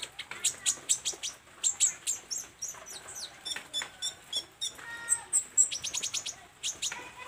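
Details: Olive-backed sunbird singing energetically while learning its fill repertoire: rapid bursts of high clicking chirps in a steady rhythm, with short buzzy harmonic notes and brief whistled tones between them.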